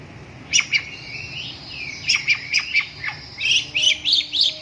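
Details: Long-tailed shrike song of varied chirps and quick downslurred notes in irregular bursts, ending with a rapid run of scratchy, jumbled high phrases.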